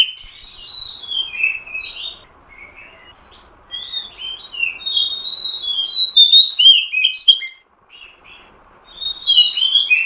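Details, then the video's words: Female oriental magpie-robin calling to get a male singing and raise his breeding drive; flowing whistled and warbled phrases, loudest in the middle, over a faint steady background hum. "suara Kacer betina.untuk memancing Kacer jantan mau bunyi"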